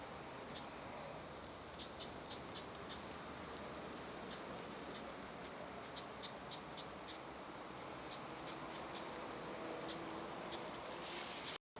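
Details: In a park, a Siberian long-tailed rosefinch gives brief high calls, clustered in quick groups of several with short gaps between groups, set against constant low rumbling background noise.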